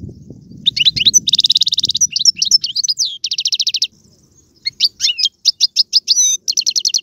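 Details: Caged European goldfinch, described as Algerian, in tiouatie, galoubi and serfati song styles: bright trills of fast repeated high notes broken by short twitters and slurred whistles, a brief pause, then more rapid trilled phrases.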